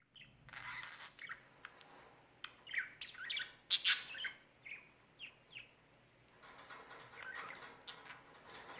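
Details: Pet bird that had not seen another bird for over a year, slowly being introduced to a new bird and seeming to want another visit, giving bright rapid chirps and squeaky twitters in bursts, one sharp loud squawk midway.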